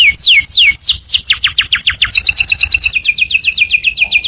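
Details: Canary singing loudly as a model for other birds to imitate; slow descending whistled sweeps turn into rapid, evenly repeated chirps forming a steady trill.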